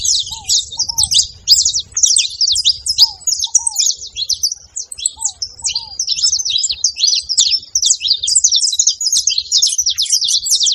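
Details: Saffron finches at a feeding spot: dense, continuous chatter of high, quick overlapping chirps from several birds, with a soft, low, hooked double note repeated every couple of seconds underneath and faint low rumble.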